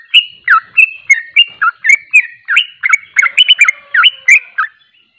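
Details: Fast ropel song of a sooty-headed bulbul (trucuk): a dense run of short whistled notes, some rising and some falling, at about three to four per second, growing busier toward the end before it stops.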